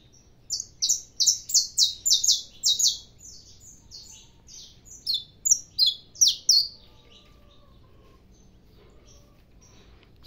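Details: Caged saffron finch warming up in early sun: a rapid series of sharp, high, down-slurred notes, two runs of about eight to ten each separated by a short pause, then quiet.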